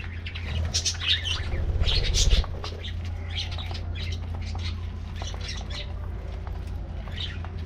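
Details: Colorful budgies in an aviary enjoying a morning treat, with a burst of loud, rapid chirping early on, then lighter scattered chirps, over a low steady hum.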